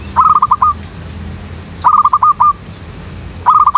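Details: Zebra dove calling in a backyard jackfruit tree as a lure for trapping doves: three rapid phrases of clipped, stuttering coos, each a quick burst of about six pulses, repeated every one and a half to two seconds.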